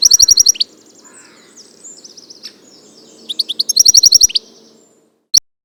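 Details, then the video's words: Wild European goldfinch, known locally as Arous al-Turkman and Taqtaq Shouk; loud bright twitter with rapid repeated tinkling notes in two fast bursts, a quieter warbled passage between, ending on one sharp chirp. "صوت الحسون حسون ذهبي عروس التركمان طقطق شوك الحسون صافي من الطبيعة European goldfinch sound"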